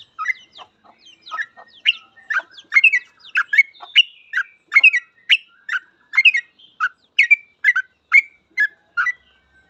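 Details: Long nonstop ropel song of a trucukan (yellow-vented bulbul), intended as a tutor for trucuk birds: quick, rollicking chirps and liquid warbles follow each other almost without a break for nearly ten seconds.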